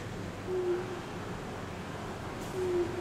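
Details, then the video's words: An unidentified bird calling at around 8 at night, seen as a penguin-like silhouette standing on top of a building; a short, low, steady hooting note repeats about every two seconds over a background hum. "The weird sound is coming from.....a bird!"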